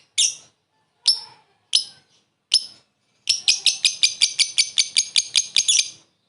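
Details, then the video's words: Lovebird giving a short laughing call meant to lure a rival: four spaced single shrill chirps, then a quick evenly repeated series of about fifteen high sharp notes. "Suara burung lovebird memanggil lawan + ngekek pendek mantap buat pancingan"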